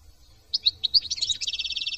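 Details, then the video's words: European goldfinch from France singing: a quick run of bright high twittering notes that runs into a rapid, evenly pulsed buzzy trill, quiet low background rumble. "chant de chardon"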